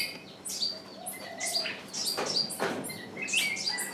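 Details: Decoy bird calling to attract wild birds that do not come in; quick high chirps and short whistles in bursts, with a few dull thumps between them.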